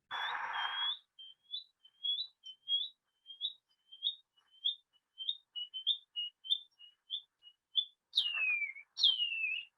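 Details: Shining cuckoo song in New Zealand, heard as a sign of spring around September–October: a quick series of high, upslurred whistles, several each second, ending in two long, downward-sliding whistles. A brief burst of noise opens the recording.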